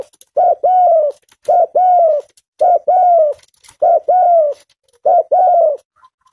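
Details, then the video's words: A tame spotted dove repeats its mellow two-note call, short low note then a sustained slightly falling coo, five phrases evenly spaced in a quiet setting. "TEKUKUR JINAK GACOR SUARA NGUKU"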